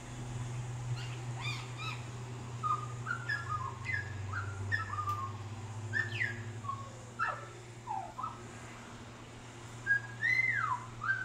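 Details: Male Australian magpie visiting a balcony, singing a warbling song that mimics other sounds: varied bright whistles, slurred rising and falling notes and harsh harmonic phrases strung together over eleven seconds, with a steady low hum beneath.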